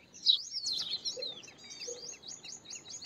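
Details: A purple sunbird opens with a loud, squeaky flourish, then runs into a string of quick, evenly repeated high upslurred notes.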